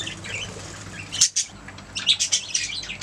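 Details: Budgies chirping and making sounds, with a low steady hum at first, then a few sharp high squawks followed by a rapid run of bright, scratchy chirps.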